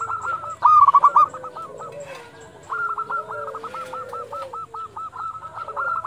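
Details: Dusk calling of local zebra doves, used to stimulate other doves: two long runs of fast stuttering coos, evenly pulsed, with lower sliding tones and a faint high ticking.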